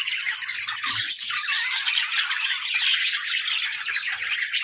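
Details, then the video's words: Pet budgerigars, described as happy and playful, in a continuous dense warbling chatter of high chirps and squeaks with no pauses. "Playful Budgies: Happy Birds Sounds"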